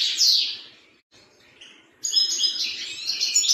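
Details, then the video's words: A European serin gives a high, fast, jingling song of buzzy, tinkling notes: a brief burst, then a longer scratchy run after a short pause. "الفرفر - ver ver"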